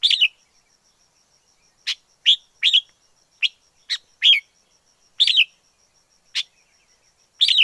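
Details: Wild red-whiskered bulbul giving cheerful whistled notes and short slurred phrases, irregularly spaced over several seconds, clear and loud in a quiet setting.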